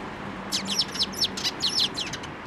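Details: Sparrows flying in for food at a post, Tenmangu shrine, 25 April 2024: a rapid burst of about ten high, scratchy chirps packed into under two seconds, with faint hum beneath.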